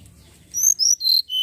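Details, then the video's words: Common iora song used as a lure: a short run of three or four clear whistled notes, each lower than the one before, after a brief quiet start. "Pancingan bunyi burung tledekan gunung"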